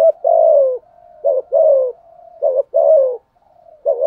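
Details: A spotted dove kept as a decoy gives its pushing coo to draw in wild rivals. Long falling coos alternate with short clipped notes, linked by a faint soft hum, with no other sounds.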